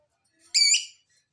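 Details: Single harsh lovebird screech, about half a second long with strong high overtones, used as a lure to make reluctant lovebirds respond and call.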